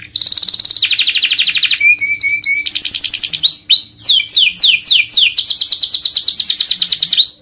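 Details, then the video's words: Canary song, a master recording used for training other birds: dense buzzy trills, short whistled notes, then rapid repeated downslurred phrases, loud and continuous. "Masteran suara burung kenari paling dicari juri/ lansung dikunci..."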